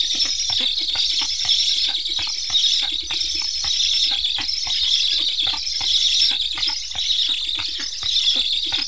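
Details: Hungry Black stork chicks in Estonia, fitted with transmitters, keep begging as parents return yet do not feed them. Almost continuous harsh hissing wheeze, pulsing slightly, with many faint clicks beneath.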